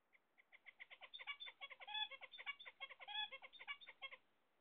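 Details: Pet zebra finches, kept by an owner waiting for eggs, sing a busy run of rapid nasal notes. About fifty short harmonic syllables repeat in a quick, slightly uneven rhythm for over four seconds in a quiet room.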